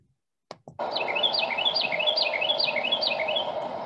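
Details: A Carolina Wren in a field near a house in early March sings a loud, rolling "germany germany" chant, one swinging down-and-up phrase repeated rapidly about six times, over steady background rumble after two handling knocks.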